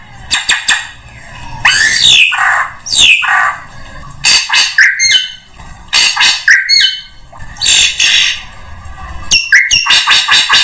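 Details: Drongo song played to draw in all bird species: harsh squawks, sharp clicks and several downward-sweeping slurred notes, loud and irregular throughout.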